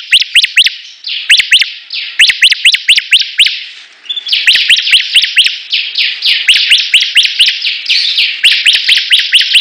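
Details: Rival Bar-winged prinias (ciblek) in full, vigorous song: long series of fast rising whip notes with dry buzzing underneath, a short lull near the midpoint, then denser overlapping notes as several birds sing together.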